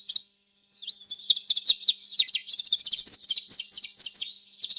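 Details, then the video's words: A short chirp, a brief pause, then a steady canary warble of quick high notes and rolling trills that grows more rapid. "صوت الكناري الأصلي | Canary Chirping Sounds"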